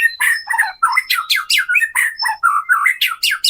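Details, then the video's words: Kretekan song of a captive white-rumped shama used as a singing lure; dense harsh, scratchy chattering notes pour out in quick succession, about four per second, with no real pauses. "KRETEKAN MURAI BATU GACOR AMPUH UNTUK PANCINGAN MURAI BATU AGAR BUNYI"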